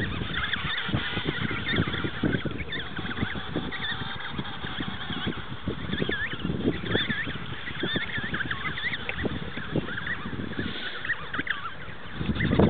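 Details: Many emperor penguins call at once in a dense rookery at Cape Colbeck, Antarctica, in 2008, a constant chorus of trumpeting, warbling cries over low rumbling noise.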